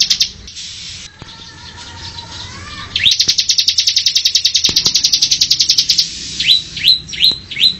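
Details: Bar-winged Prinia delivering its ngebren song, a rising upslurred note leading into a dense rattle of sharp high notes, ending with several separate down-slurred chirps; a faint lower whistled call sounds beforehand.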